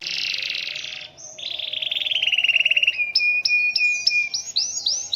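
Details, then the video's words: Canary, still singing strongly despite the rainy season, gives a long, unusual roll. A harsh buzzy opening precedes a quick pulsed trill that drops in pitch, then clear rising notes repeated evenly. "TETAP GACOR DI MUSIM HUJAN || NGEROL PANJANG DAN UNIK"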